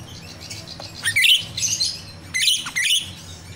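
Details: Wild jalak Rio-Rio myna song, used as bait for captive birds: two loud, harsh chattering phrases, each of several rasping notes, with a low hum underneath.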